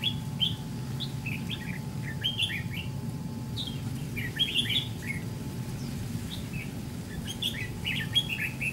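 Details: Red-whiskered bulbul with white cheeks serving as a decoy in a trap fight: rapid, twittering slurred chirps in uneven bursts, some sharper accents, over a low hum.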